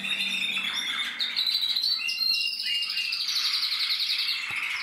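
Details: Red-black mosaic male canary from a German stud, holding long rolling trills at high pitch that shift gradually upward, with a single soft click near the end.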